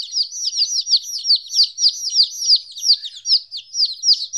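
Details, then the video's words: Several baby chickens aged 14 days, away from their mother for the first time, peep steadily: bright, high, falling chirps overlapping in a busy stream, loud and close, with brief dips between bursts and a clean background. "Chicks Chirping Sounds - Baby Chicken Sounds"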